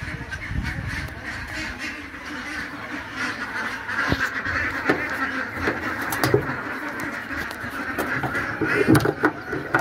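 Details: About 1,500 Khaki Campbell ducklings in Nepal make a constant, dense chatter of overlapping peeps and quacks, with occasional louder calls standing out.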